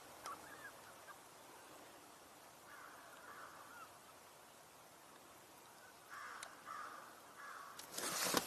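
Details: Distant American crow giving harsh caws, a pair, then a loose run of three, during a birding tour on 24 February 2024 with ring-necked ducks nearby; steady background hiss and a burst of handling noise at the end.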